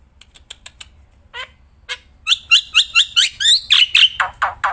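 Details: Black-winged myna, kept bird, singing even while held in the hand: soft ticks and a couple of raspy notes lead into a rapid run of loud paired chirps and harsh downslurred calls.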